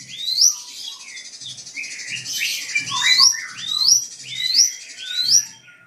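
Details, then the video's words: Drongo provoked by a rival, giving clear upward-sweeping whistles spaced under a second apart, broken mid-way by lower slurred chattering notes, with soft low thuds behind. "SRIGUNTING PANCING EMOSI LAWAN"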